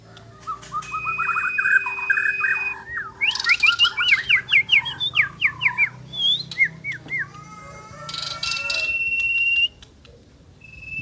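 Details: Asian brown flycatcher singing actively: a long varied run of warbled whistles, rapid chattered notes and upslurred buzzy phrases, ending in level whistled tones, over a steady low electrical hum.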